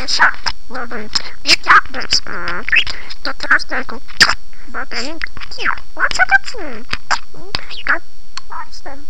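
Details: Parrot speaking in Armenian: a fast, continuous run of speech-like syllables with rising and falling tones, some squeaky and nasal, others clipped and clicky, filling the whole stretch with few pauses.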